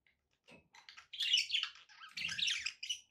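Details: Domestic budgerigars start with a few soft clicks, then break into loud, continuous scratchy warbling and squeaky chirps.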